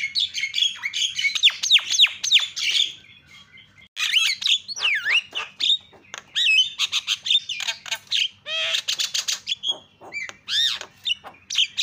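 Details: Javan myna calling, used to provoke other mynas into calling: a dense run of loud, varied squawks, whistles and harsh chattering notes, rising and falling sharply, with brief pauses between bursts.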